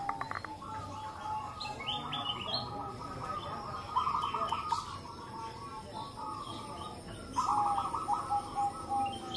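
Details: Many local zebra doves calling together and answering one another, used to prompt other doves to sing; overlapping rapid rolling trills and coos, some strong, long or crystal-toned, layer into a busy chorus throughout.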